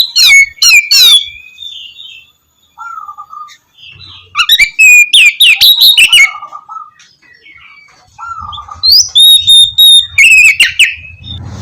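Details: Oriental magpie-robin (kacer) singing in the lively 'ngeplong' style, used as a morning lure for lazy birds; bursts of clear whistled phrases and rapid chattering notes alternate with quieter gaps, with a faint low hum in the background.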